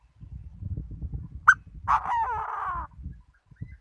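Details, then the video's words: A decoy Chinese francolin gives one sharp clipped note, then a drawn-out raspy note with falling overtones. Soft thumping and rustling run underneath. "Chim đa đa mồi"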